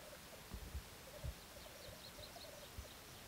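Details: Displaying black grouse in 2014 courtship parade, rolling bubbling phrases at a low pitch, broken by several dull thumps and a few faint high notes.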